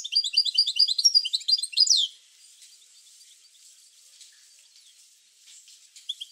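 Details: European goldfinch singing, used to encourage goldfinches to sing: a rich, rapid stream of high tinkling and twittering notes for about two seconds, then near silence with a few faint chirps.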